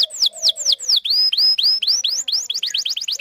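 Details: Canary song used as a lure to draw a male and teach young birds to sing: a string of high downslurred whistles, then longer upward-curving notes, ending in a quick run of short sliding notes.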